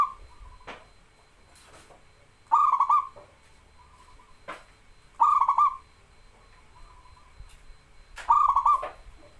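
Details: Zebra dove from local stock singing, as a master recording for birds slow to sing; repeated loud, stuttering coo phrases about every three seconds, separated by short clicks and faint single coos.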